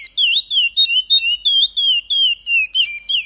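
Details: Caged chestnut-bellied seed finch (curió) singing the Paracambi song style with repetition: a fast run of clear, loud whistled notes, each gliding and slurring, about five notes per second, in clean, quiet surroundings.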